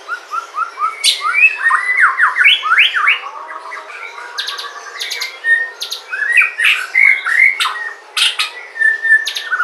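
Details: White-rumped shama from Sumatra, song used as a lure to prompt other shamas to sing: rich, varied run of loud whistled phrases, rising and falling slurs and sharp clicking notes delivered rapidly and without pause for nearly ten seconds.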